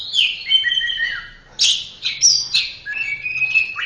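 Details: Song of an orange-headed thrush used as a training recording: long descending whistled phrases, then bursts of sharp high notes and level sustained whistles, clear and loud with little background.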